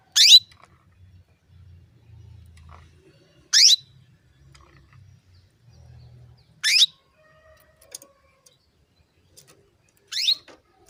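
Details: A female canary calls to get males singing, giving short, piercing, downward-sweeping notes spaced roughly three seconds apart, four in all, with quiet low rumbles in the gaps.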